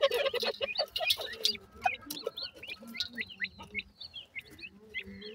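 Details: Francolin chicks, called teetar in the local name, feeding with their family: noisy pecking and clatter at first, then a quick run of short, high chirps and peeps, each bending up or down.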